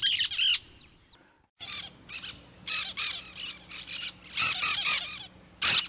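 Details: Cactus parakeet calling in rapid series of harsh, grating screeches, bursts repeated irregularly after a brief pause, with a low steady hum underneath.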